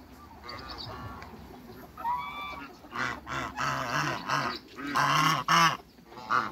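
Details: A pair of African geese in a backyard with other waterbirds, giving deep, harsh honks in an irregular series of about six calls. Higher, thinner calls from other birds come earlier in the recording.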